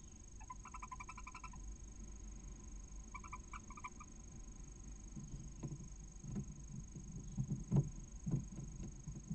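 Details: Female barn owl inside a nest near the Casa Palillos visitor centre, Cabañeros National Park, Castilla-La Mancha, Spain, calling to her first chick hatching after 31 days of incubation. Two bursts of rapid, evenly pulsed, harmonic chittering over a steady low hum.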